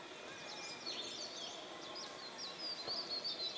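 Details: Grey bush chat, with a faint run of high, thin chirps and short twittering notes that rise and fall, heard against steady background hiss.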